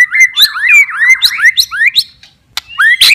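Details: White-rumped shama, a kept bird, pouring out a quick sequence of looping, slurred whistles with sharp high accents, a short gap, then a final rising whistle.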